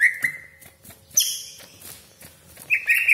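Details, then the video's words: Greater green leafbird (cucak ijo) singing a lure song: a sustained whistled note, then brief high chips and a harsh chattered burst, separated by short pauses. "CUCAK IJO GACOR DOR TEMBAKAN TAJAM BESETAN KASAR ROLL PANJANG FULL ISIAN"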